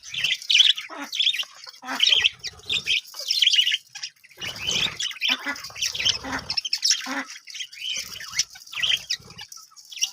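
Budgerigars chatter nonstop in busy, scratchy warbles and sharp chirps, several birds overlapping.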